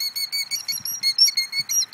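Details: A female Killdeer, before her eggs hatch, gives shrill, piercing notes, about four or five a second, over faint low sounds. She is doing a distraction display, acting injured to lure people away from her nest.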